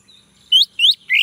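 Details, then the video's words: Male orange-headed thrush used as a singing prompt: three quick upslurred whistles, the last lower, broader and slightly buzzy, with a faint low background murmur. "Anis merah jantan, agar bunyi"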